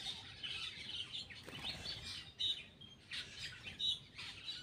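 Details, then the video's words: Black-winged myna calling while eating: bursts of harsh, scratchy chatter with a few sharper squeaks, coming in uneven clusters about once a second, over a faint low background rumble. "cucak Keling bar bar"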